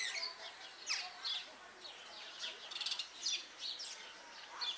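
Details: Superb starling calling more quietly, with a jumble of thin rising and falling whistles and scratchy chirps against a faint background hiss.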